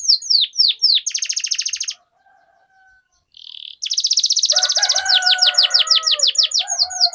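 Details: Canary song in the long rolling style called ngerol: rapid buzzy trills and high descending notes, a near-silent gap after two seconds, then sustained fast rolls with lower warbled tones beneath.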